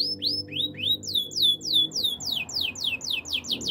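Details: Canary song for coaching young birds: repeated arched sweeping notes, each falling steeply, delivered in a quick steady series over faint low background hum.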